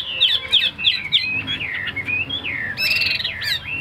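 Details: Tame Chinese hwamei kept in a cage, singing a run of rapid clear whistles and sliding notes, ending in a higher, ringing, buzzy flourish.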